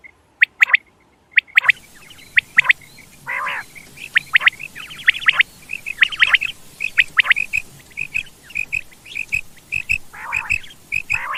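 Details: Quail calls used in quail hunting: a few sharp notes, a brief silence, then busy chirps and buzzy squawks in irregular bursts.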